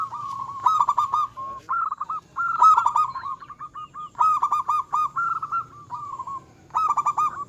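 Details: Local zebra dove singing hard to provoke rivals and stir their breeding drive: loud, stuttered cooing phrases repeated about every one to two seconds, each with a rapid rolling start and softer trailing notes.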